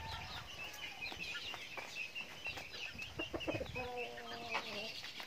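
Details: Chickens at their feed, with scattered pecking taps and faint high chirps, then a drawn-out, harmonic, nasal call rising from the background near the end.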